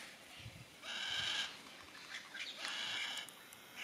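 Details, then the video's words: Yellow-tailed black cockatoos in Tasmania, Australia, giving drawn-out harsh wailing calls, two long cries about two seconds apart, with fainter overlapping calls and low background rumble. "Yellow Tailed Black Cockatoos"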